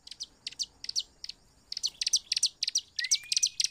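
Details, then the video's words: Bar-winged prinia song used as a lure to get other prinias singing: rapid bursts of high, sharp chirps in quick pairs and clusters, pausing briefly mid-way, with a thin rising whistle near the end. "PANCINGAN CIBLEK"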